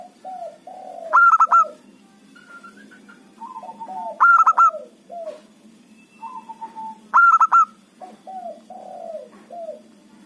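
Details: Zebra dove, local type, used to lure opposing birds into traps: three loud clusters of quick ringing notes roughly every three seconds, linked by soft, drooping coos and short level notes.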